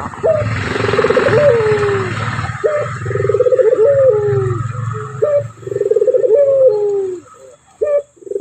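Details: Male Barbary dove giving its clear coo, a rolling phrase ending in a falling drawn note, repeated about every two and a half seconds over a steady low rumbling background.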